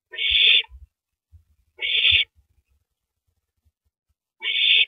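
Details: Owl handing a rabbit to its mate at the nest, night of April 9, 2012; three drawn-out hissing screeches about two seconds apart, with low knocking movement sounds beneath.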